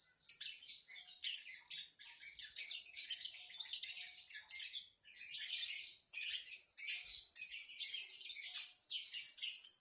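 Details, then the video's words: Lovebird chatter: nearly ten seconds of steady, scratchy, high twittering in short clustered bursts, with one brief pause midway. "Kicau Lovebird | Ocehan burung Lovebird"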